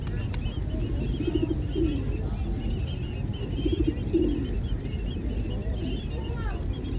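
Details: Pigeons near a riverbank giving low, throaty, rolling coos in two bursts, one around a second and a half and another near four seconds, over a steady low rumble with faint higher chirps.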